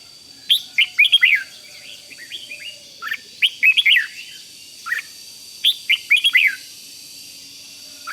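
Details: Red-whiskered bulbul singing in the 'rik' style, meant to excite other bulbuls: short bright warbled phrases of three to five slurred notes in bursts with pauses between, over a faint steady high-pitched whine.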